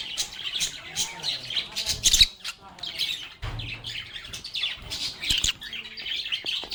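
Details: Lovebirds playing and talking: steady high twittering chatter mixed with sharper squawks, plus a few dull knocks and low bumps in the background.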